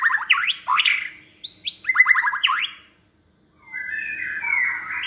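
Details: White-rumped shama, a captive competition bird in its second season raised by hand, sings rapid chains of upward-flicked notes and high sharp accents, falls silent briefly, then adds a wavering whistled phrase.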